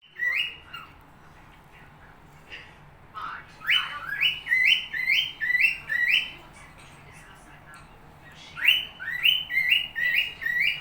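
A cockatiel whistles a quick run of bright, repeated notes that slur up and down.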